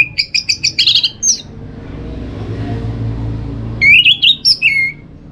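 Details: Orange-headed thrush song used to prompt other birds to sing in the morning or under a cage cover: a fast string of repeated high chirps, a pause, then a run of looping, slurred whistles that rise and fall.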